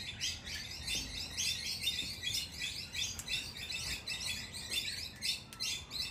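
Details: Squabbling wild Australian king parrots, males against females at a doorstep, keep up fast, shrill, scratchy chirping that swells and fades in uneven waves throughout.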